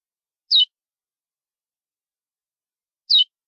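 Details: A training recording of a curió seedeater's classic "praia" song, meant for correcting a bird's song, gives two brief, high, downslurred whistled notes about two and a half seconds apart, with silence between.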